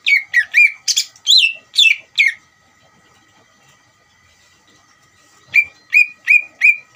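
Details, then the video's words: Greater green leafbird song used to stir another leafbird to respond: a burst of whistled and rasping notes, a silence of about three seconds, then a fresh run of four clear, falling whistles. "PANCINGAN CUCAK IJO GACOR UNTUK CUCAK IJO BAHAN BIAR EMOSI DAN LANGSUNG NYAUT"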